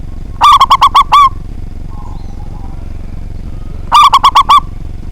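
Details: Local zebra dove, a loud and prolific singer kept to provoke rival birds. Two phrases of rapid bubbling coos about three seconds apart, with a steady low rumble in the background.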